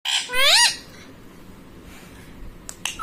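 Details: Pet ringneck parrot at home mimicking words, reportedly saying mummy papa: two harsh, rising-and-falling squawked syllables in the first second, then quiet room with a few faint clicks.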